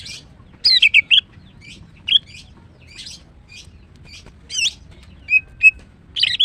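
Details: A female greater green leafbird sings in the morning. Short bursts of sweet warbled and trilled notes come with pauses of about a second between them, and a low hum runs underneath.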